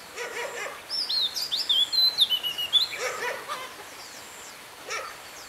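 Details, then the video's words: Oriental magpie-robin, a fighting bird recorded at a trap on 16 May 2016, sings a run of clear, varied whistles, sliding up and down over about two seconds, with harsh scratchy notes before and after. "chòe than máu chiến"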